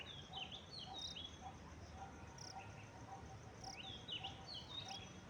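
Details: Common myna giving a varied run of squeaky whistles and sharp chirps, some rising and some falling, in loose bursts over about five seconds, set against a steady low background rumble.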